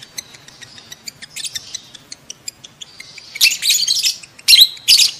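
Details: Lovebird mating calls, meant to stimulate adult lovebirds to breed: rapid ticking notes repeated about two or three times a second, building into dense, harsh, high chattering bursts toward the end.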